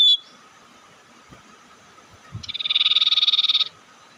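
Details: Provocative bird lure call: one short high whistle at the start, a quiet gap, then a rapid buzzy trill of about twenty evenly pulsed notes lasting over a second, with a constant low hum behind.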